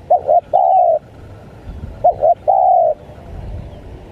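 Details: Spotted dove calling in 'menekan' style as a lure for wild doves: two phrases, each two quick arched coos leading into a long flat coo, with soft low rumbling between.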